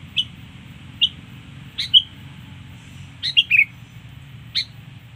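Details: Sooty-headed bulbul sound used to lure birds: short, high, sharp chirps given singly and in a quick cluster of three, spaced irregularly, over a steady low electrical hum.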